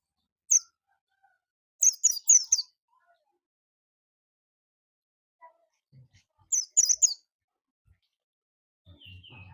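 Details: Oriental white-eye giving short strings of thin, high chirps, a single note then two quick bursts of several notes, spaced by long pauses, with faint low noise near the end.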